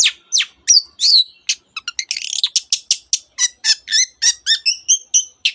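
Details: Long-tailed shrike with a varied song mimicking canary and many other birds: a quick scratchy jumble and then a steady series of bright whistled two-part notes, about three per second.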